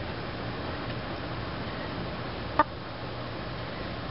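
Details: Quiet steady indoor hum broken by a single sharp click midway, with no animal calls.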